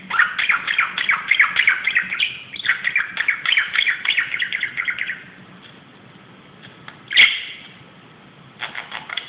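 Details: Budgerigar going crazy on top of a closet, rapid rhythmic chattering of quick chirps for about five seconds, then quiet broken by one sharp click and renewed chirps.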